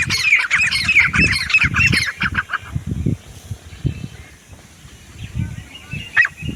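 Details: Grey francolin (desi teetar), hunting context: a run of shrill, ringing repeated phrases in the first two seconds, then quieter background with one more faint call near the end.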